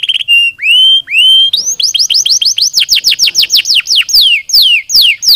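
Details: Singing canary, played to encourage lazy birds to sing: a held pure note, two rising slurred whistles, then a long series of fast falling notes that slow into broad downward sweeps.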